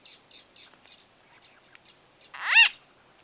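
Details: White-fronted bee-eater conversation recorded close up, date unknown: a series of soft, quick chirps repeated about every quarter second, then one loud, harsh, downward-curving squawk near the end.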